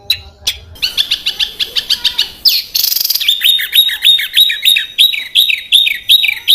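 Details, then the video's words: Small bird in 'tembakan kasar' rough style, for tutoring contest songbirds: fast ticking chips, a harsh burst, then a steady run of sharp downslurred high notes repeated about three per second. "SUARA BURUNG KECIL TEMBAKAN KASAR"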